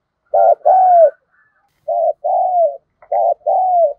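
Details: Spotted dove decoy in the 'thổ sấm' voice style, used to draw in wild doves: three two-part coos, a short opening syllable then a long descending coo, separated by silent pauses.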